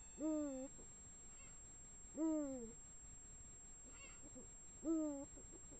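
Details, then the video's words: Eurasian eagle-owl female and male calling at night, 1:01 am, 16 March 2017; three deep, harmonic, downward-sliding calls, one every two to three seconds, with faint higher distant sounds between them. "Eagle-Owl female and male calls. Uhu Weib. u.Männchen ruft."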